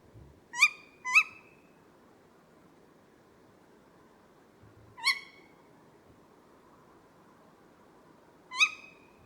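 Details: A female tawny owl gives sharp, shrill kewick calls, her part of the pair's duet: a quick pair, then two single calls several seconds apart. The male's deeper hooting reply is not heard; faint background hiss.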